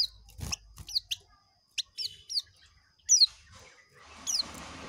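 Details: Oriental white-eye giving ngekek song: scattered high, thin, sharply downslurred chirps and short twitters in irregular bursts, with a faint low rumble at the start.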